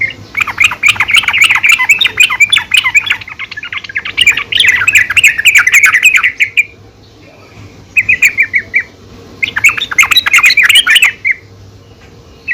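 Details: Yellow-vented bulbul female calling to rouse other bulbuls, pouring out long dense bursts of chattering notes separated by quieter gaps, with a steady low hum underneath.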